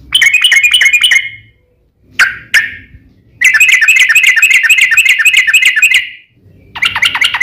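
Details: Sooty-headed bulbul with a long fighting song meant to make other bulbuls sing back: a fast buzzy trill, pause, two harsh notes, then a sustained rattling trill near three seconds long and another starting.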